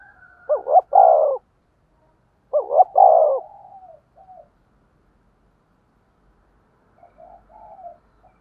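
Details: Spotted dove used as a decoy to attract wild doves: two loud phrases, each a doubled short coo then a drawn-out coo, followed by quiet trailing notes and a long near-silent gap.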